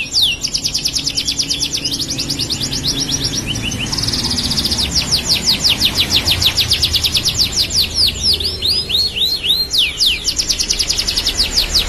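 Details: Tame canary in long, vigorous song (gacor): dense fast trills, a short buzzy stretch and swooping notes run on almost without pause, against strong broadband background noise.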